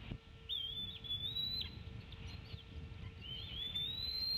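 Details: High whistled calls of a female Bald Eagle tea kettling away from the nest at Decorah as the male feeds eaglets: two long, slightly rising piping notes with a low steady hum beneath.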